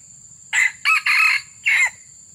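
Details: Wild junglefowl crowing during luring. The crow is loud and close, with four harsh segments: a brief opening burst, two joined phrases, then a short pause and a last falling note. Otherwise the setting is quiet with a low hum.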